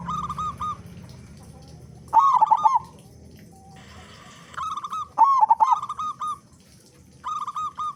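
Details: Vigorously singing local zebra dove, big-voiced, used to coax other doves into song: phrases of steady level coos alternate with louder rolling, bubbling trills, repeating every couple of seconds above a faint low hum.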